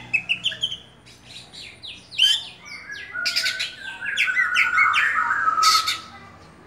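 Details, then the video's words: An oriental magpie-robin in a cage gives a varied, rambling song of rapid high chips, scratchy buzzes and a sustained warbled passage of mixed whistles, fairly loud and continuous toward the end. "Kacer Dewa Air Buka Buka an"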